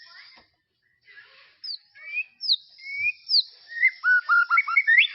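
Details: White-rumped shama from a tropical forest, a phrase of clear whistled notes, some sliding down, building into a fast run of short rising and falling whistles near the end.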